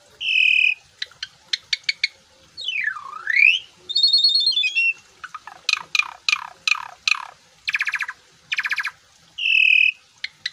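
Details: Asian pied starling delivering varied full-isian phrases: a strident sustained tone opening and closing the passage, spaced sharp ticks, a swooping V-shaped whistle, buzzy trills and clusters of harsh sweeping notes.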